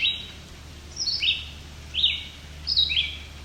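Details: White-breasted Nuthatch young, apparently fed by parents, in a family of at least five on rocky alvar in Ontario, Canada, July 2019. Four clusters of sharp, high, downward-slurred chips arrive at an uneven pace, with a soft low hum beneath.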